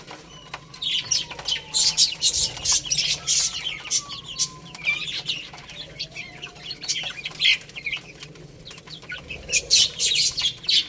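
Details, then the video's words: Baby chickens play and eat while giving rapid, high chirps in dense clusters. Wings flutter and scratch throughout, and a few soft, lower drawn-out notes drift underneath. "Cute Little Chicks Chirping Sounds"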